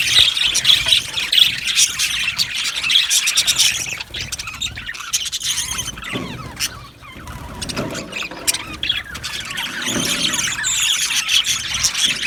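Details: Many budgerigars in an aviary colony chattering together: dense high chirps and squeaky warbles overlapping continuously, with a few clearer whistled notes near the start and louder bursts toward the end.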